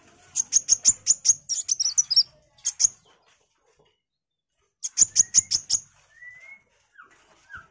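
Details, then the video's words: Sunbird in full song, used as a tutor recording for caged magpie-robins: quick series of very high, sharp chip notes, a pause, another rapid chip series, then faint thin rising whistles. "MASTERAN KOWUL GACOR || KOLIBRI WULUNG, KOLIBRI WAYANG"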